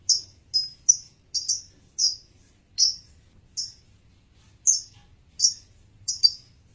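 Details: Male lovebird calling in a run of about a dozen shrill, high chirps, some close-set pairs and some spaced over a second apart, over a faint low hum.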